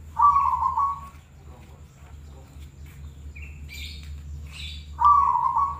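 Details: Zebra dove song for contests and daily listening: a clear, purring trilled coo lasting about a second, a pause with faint low hum and a few high chirps, then the same trilled phrase repeated at the end.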